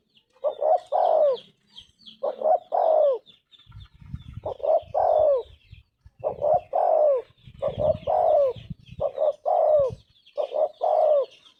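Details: Anggungan song of a tekukur (spotted dove) in the gacor style: six repeated coo phrases, each of two short notes and a long falling coo, over a background of small birds chirping high and some low rumbling noise.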